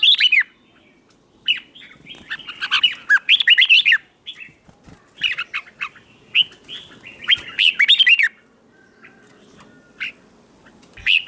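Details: A red-whiskered bulbul sings in the morning to provoke rivals into competitive singing, giving dense runs of chirpy, bouncing notes in several clusters, with brief pauses and soft background noise.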